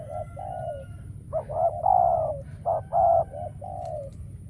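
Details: Spotted dove decoy cooing during trapping of wild doves, none of which come. Quiet opening notes build to several louder, rounded coos, then taper into a soft falling note.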